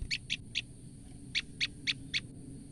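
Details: Frightened female olive-backed tailorbird giving a run of short, sharp, high clicking notes, spaced roughly every quarter second in two bursts, against a faint low hum.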